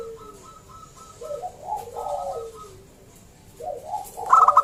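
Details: Local zebra dove (perkutut lokal), played to lure other doves into song; mostly soft, low rolling coos and faint repeated notes, ending with a sudden louder burst of rapid clipped cooing.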